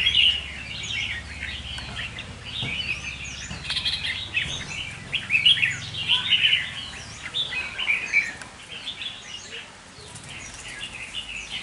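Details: Decoy red-whiskered bulbul in a cage singing lively chirpy phrases, rapid notes rising and falling in dense bursts, strongest mid-way, with faint low rumble beneath.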